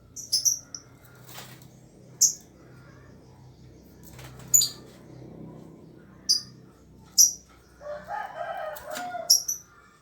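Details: Young lovebird, two months old, practising its trilling call: sharp, very high chirps every one to two seconds, alongside rustling wingbeat-like bursts and a brief lower chattering near the end.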